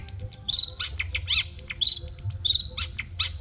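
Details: Madura long-tailed shrike in training song for caged birds, a fast jumble of high chirps, harsh notes and sharp descending whistles around a steady low hum.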